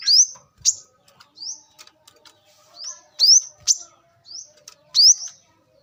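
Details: Wild brown-throated sunbird song for luring: spaced, bright upward-slurred whistles and sharp chips about one per second, with quiet gaps between notes.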